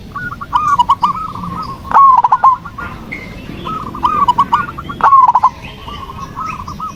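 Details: Zebra dove cooing song meant to provoke a lazy dove on a terrace into answering: stuttering strings of soft cooed notes, with two louder bursts a few seconds apart and quiet gaps between phrases.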